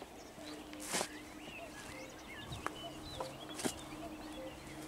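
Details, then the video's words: Common pheasant on meadows at dawn, 12 May 2021: two harsh, explosive crowing bursts about two and a half seconds apart, over a busy chorus of whistling songbirds. "pianie bażanta"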